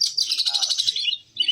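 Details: Caged kacer (Oriental magpie-robin) kept for song contests: a rapid run of high, buzzy trilled notes pulsing about a dozen times a second, a short pause, then a brief whistled phrase resuming.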